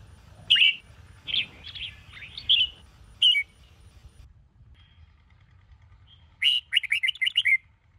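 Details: Sông Kôn red-whiskered bulbul, morning training song. Separate slurred whistled notes and short warbles come first, then a pause, then a rapid bubbling run of about eight chirping notes that fall toward the end. A low steady hum runs underneath.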